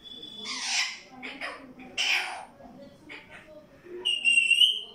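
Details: Pet parrot repeating the word "mittu" in short, harsh, voice-like bursts, ending in a clear whistled tone with several overtones.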